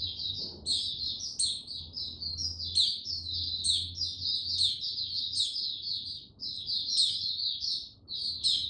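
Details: White-eye, a male warming up to full song on 6 March 2022: a long, fast, jumbled run of high chirps and warbles with frequent sharp, shrill spikes and a brief pause near six seconds.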